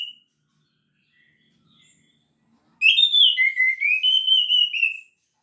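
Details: Caged orange-headed thrush singing in lively, sustained form: about two seconds of clear whistled phrases, sliding and warbling between middle and high pitch with bright overtones, after near silence.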